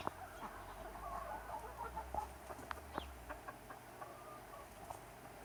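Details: A flock of chickens and roosters on a summer day clucks in quick, irregular bursts that are busiest early and thin out later. A low rumble is heard beneath them.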